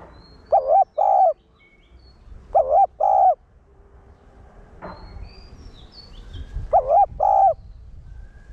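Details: Spotted dove in Vietnam, a decoy bird cooing to stimulate caged males; three phrases of paired low mellow coos, each pair about half a second long, spaced roughly two to three seconds apart, with faint background noise.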